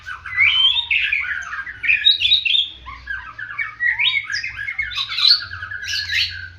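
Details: White-rumped shama singing in a fighting style likened to the bar-winged prinia: a fast, dense run of sharp chirps, squeaky twitters and whistled notes tumbling up and down without pause, heard close and indoors.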